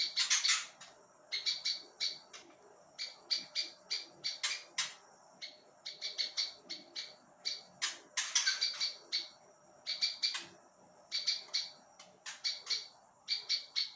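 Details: Prinia song recorded as a tutor for other songbirds: fourteen seconds of rapid high chirps in repeated clusters, a few louder buzzy bursts among them.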